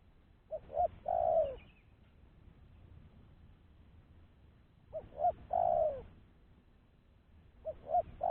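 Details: Clean spotted dove lure call for catching other doves, from a bird no longer fearful: a low phrase of two quick notes and a long falling coo, repeated about every four and a half seconds, with the third phrase cut short.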